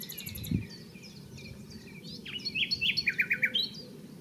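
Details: A common nightingale sings varied high whistles and chirps, then a rapid run of about eight loud repeated notes, recorded close up at Barcombe, Sussex, England, on 30 April; low background rumble.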